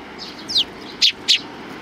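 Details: Sparrow coming to be fed at a Tenmangu shrine's front approach, 29 May 2020; one downslurred note followed by two loud, sharp chirps about a quarter second apart, with faint background hum.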